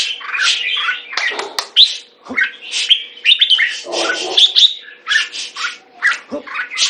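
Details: Red-whiskered bulbul kept on a managed diet, singing choppy bursts of raspy notes and thin whistles in quick succession, with brief gaps and a few soft clicks between phrases.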